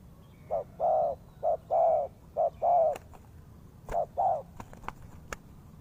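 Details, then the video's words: Spotted dove, as a trapping lure, delivering three short-then-long coo pairs, followed by sharp clicks and knocks near the end. "The Sound Of Spotted Dove is good"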